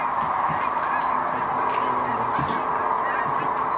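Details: Distant cranes settling near Wood River on a Saturday in March: a thick wall of overlapping trilled calls from many birds, constant throughout, with soft human voices in the foreground.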